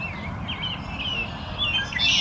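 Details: Wood duck ducklings at High Park make loud, wavering whistled peeps that slide up and down, several in quick succession, with a low rumble of background noise beneath.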